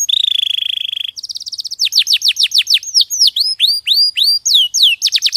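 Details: Clear tutor song of a champion canary: a steady whistled roll for a second, a fast chattering trill, then loud downswept notes repeated about four per second ending in quick bursts.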